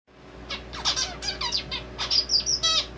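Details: A male zebra finch, whose song seems to borrow red avadavat calls, sings a quick string of nasal, buzzy notes and downslurred chirps, ending in a few thin high whistles, against a faint steady room hum.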